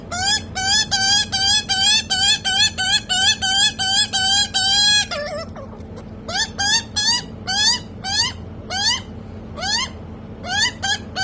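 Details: A baby rescued Australian magpie, growing but still hand-fed, begs for food with harsh, rising, nasal squawks, about three a second at first, then slower and more spaced, over a low steady hum.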